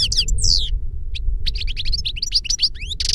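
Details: Older goldfinch singing to teach a younger goldfinch: rapid twittering of short, sliding, tinkling notes high in pitch, in quick bursts with a brief pause, over steady low background rumble.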